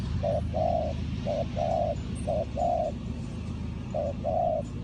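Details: Spotted dove in Ninh Thuận during bird trapping, cooing in pairs of a short note followed by a longer note, over a hissy, humming background.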